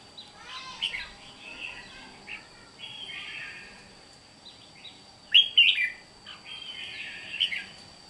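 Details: A red-whiskered bulbul, or chào mào mộc, sings soft warbling phrases then a loud, sharp bubbly burst midway, followed by more chattering notes, under a continuous faint high-pitched tone.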